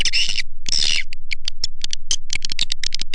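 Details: Swiftlet lure call used by swiftlet farmers in Indonesia to attract swiftlets: two dense buzzy chattering bursts, then a fast run of sharp clicking chirps, roughly two or three per second.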